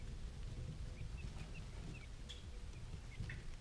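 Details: Three-day-old quail chicks giving short, thin, high peeps, scattered singly and in quick pairs across a few seconds, faint above a steady low rumble and soft scratching.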